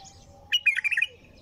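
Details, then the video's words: Bulbul singing nonstop: a short burst of rich, warbled phrases, a quick run of fluttering whistled notes lasting about half a second, with faint background hum. "تغريد بلبل طور بدون توقف"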